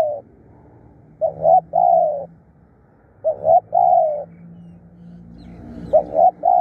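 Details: Spotted dove decoy bird, said to call fiercely and often, delivers three cooing phrases about two seconds apart, each a short double coo then a longer rolling note.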